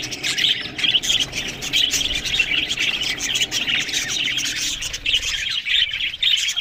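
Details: Budgies eating green food, giving rapid high chirping and buzzy warbling that fades briefly late on before resuming.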